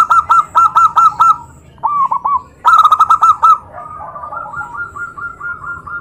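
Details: Zebra dove voice meant to stir other doves into answering. It gives a rapid staccato string of high, clipped coos, then a second quick series after a brief pause, fading into softer, lower-volume cooing at the end.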